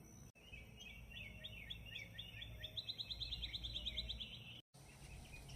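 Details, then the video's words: Morning birdsong: a quick series of short, rising and falling chirped notes, then a fast rattling trill, with a steady low rumble of background noise and brief dropouts. "Послушайте Утреннее Пение Птиц🐦🦜Morning Birds Singing"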